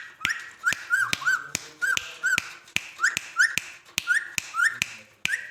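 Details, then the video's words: Ring-necked parakeet, kept as a talking pet, giving a rapid series of short, sharp whistled notes, each rising then falling, repeated about twice a second, with loud clicks and taps between them. "magical talking sweet parrot"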